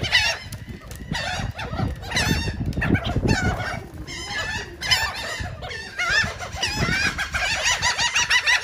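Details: Gulls feeding on cake at Atlantic City, New Jersey; a chorus of many birds giving harsh, repeated squealing and yelping calls that overlap densely, some rising and falling, over low rumbling noise.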